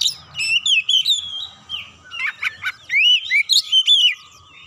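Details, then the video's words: Oriental magpie-robin (kacer) song used to stir birds into singing: varied whistled phrases with slurred rising and falling notes, interspersed with sharp clicks and rapid chatter. "PANCINGAN Kacer langsung naik emosi ngotot bongkar isian"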